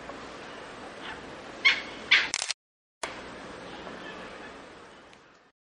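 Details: Malabar pied hornbill from a large noisy flock of more than 10 birds near a river at Ganeshgudi, Western Ghats, feeding and flying tree to tree: two loud, harsh cackling notes about half a second apart over steady hiss.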